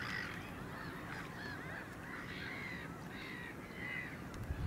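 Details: Same individual Caspian gull, 9 March 2016: a continuous sequence of bowed, harmonic, laughing calls repeated rapidly, with a low rumble of background noise and a brief clatter at the end.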